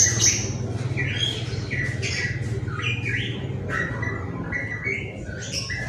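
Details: Pitohui song in a loud training recording for songbirds: quick series of short whistled and slurred notes, some rising, some falling, some buzzy, given in close succession over a steady low hum.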